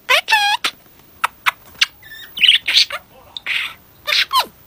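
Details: Budgerigar mimicking human speech; opens with a wavering whistled tone, followed by short crisp word-like syllables, buzzy chatter and a falling squeal at the close.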